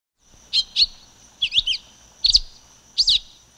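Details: Silver-beaked tanager (Ramphocelus carbo) singing: sharp, high chirped notes in pairs, each pair a quick doubled chip, repeated with short pauses; a steady high hiss runs in the background.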